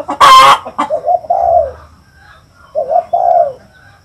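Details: A sharp, loud burst opens, then a spotted dove gives two low, rolling coo phrases, each a quick double note sliding into a longer falling hoot, in a quiet setting.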